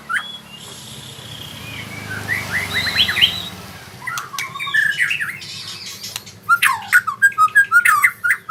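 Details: White-rumped shama learning to sing rolling trills (ngerol): soft, distant trill notes at first, then louder clipped whistles and a fast burst of sharp, repeated chattering notes.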